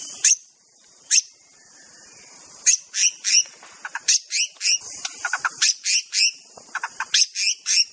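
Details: White-rumped shama from Aceh in a master recording: very high, sharp, ticking chips come in irregular clusters after a quiet start, with a few lower clicks mixed in.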